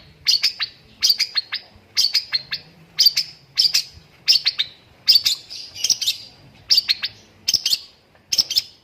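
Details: A long-tailed shrike sings a rapid-fire master song filled with lovebird mimicry: short, high chirpy clusters of three to four sharp notes, repeated about every 0.6 seconds and sounding like lovebird chatter.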